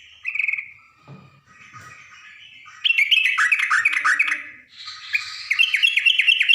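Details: Female yellow-vented bulbul calling a male, used as a lure. After a quiet start with a faint low thud, loud bubbly chattering bursts of rapid, slurred, rising-falling notes follow in two runs.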